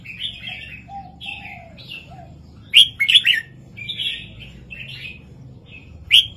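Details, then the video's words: A Red-whiskered bulbul sings a southern-style song pattern of bright, bubbly whistled phrases, short warbled notes every second or so with a few louder sharp bursts, over a soft low hum. "นกกรงหัวจุกร้องแม่บทเพลงใต้ 3-4-5"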